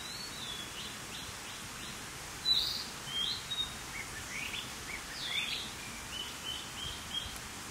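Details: Narcissus flycatcher song: short whistled and chirpy high-pitched phrases, some rising slurs, scattered from about 2.5 to 7 seconds over a steady background hiss.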